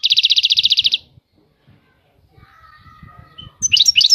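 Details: European goldfinch with a high maqamat song gives a fast, evenly pulsed trill lasting about a second, then soft low rumbling and a faint steady tone before a brief burst of high twitter.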